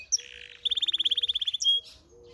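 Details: Song of a brambling × canary hybrid bird, with a buzzy note, then a quick run of about twenty rapid repeated high notes ending in a short whistle.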